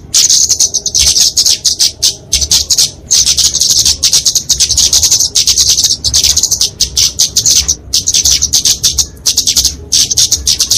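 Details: Kemade flowerpecker (Dicaeum) in fighting song, a recording meant for tutoring and luring small birds. Almost continuous high, sibilant chattering with rapid clicks runs through the whole stretch and is broken only by brief pauses.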